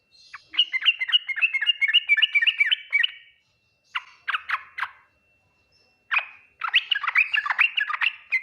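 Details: Yellow-vented bulbul in the Ngriwik, Nguplik, Tuklik-Tuklik song style that other bulbuls answer quickly; a long rapid run of liquid warbled notes, a few separate chirps, then another fast bubbling phrase.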